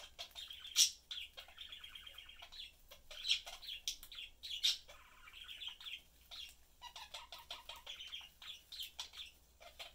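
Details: Pet budgies, a mother, father and young bird, chatting and feeding; continuous buzzy warble with trilled phrases and occasional louder sharp chirps, plus lower rattling notes.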